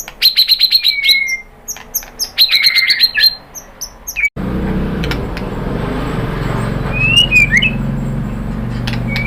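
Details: White-rumped shama song used as a lure to make other birds answer: rapid clicking notes and sharp whistled slurs for four seconds, then a sudden switch to steady low rumbling traffic-like noise with a few scattered whistled notes.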